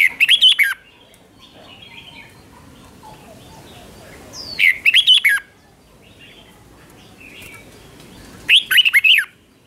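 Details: Red-whiskered bulbul kept as a cage bird, singing in the doubled style for teaching young birds: three short, rapid phrases of clipped whistled notes spaced about four seconds apart over faint background hiss.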